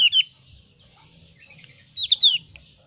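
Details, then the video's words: Thin-browed Javan grey-throated white-eye giving its distinctive call: a quick pair of high, downslurred chirps, a pause, then a tight run of three or four similar sharp notes. "ciri khas suara burung opior alis tipis"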